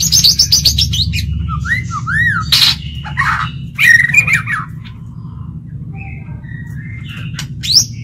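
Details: Lure white-rumped shama in a cage singing to provoke other males into a contest: quick high notes, looping up-and-down whistles, harsh bursts and scattered soft whistles over a steady low hum.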